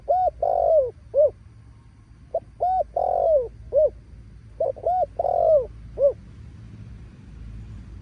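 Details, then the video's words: Spotted dove cooing loudly: three phrases of about four clear, low hooted notes each, some notes bending downward, separated by short pauses, with faint low hum behind. "Giọg này kích bổi gáy gù ầm ầm"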